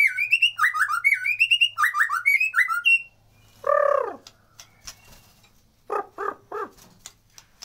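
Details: White-rumped shama used as a lure to stir lazy birds into singing: rapid, rich whistled phrases for three seconds, then a harsh, loud downward squawk and three short rasping notes.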